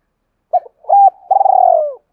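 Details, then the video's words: Spotted dove giving a fighting coo, used to stir newly caught wild doves into cooing: a short hoarse note, a two-part coo, then a long drawn, slightly falling, purring coo, mid-pitched and clean, with no other sounds. "cu gay kich boi nhanh noi gù, tiếng thúc đấu giọng hạp bổi nghe nhanh nổi"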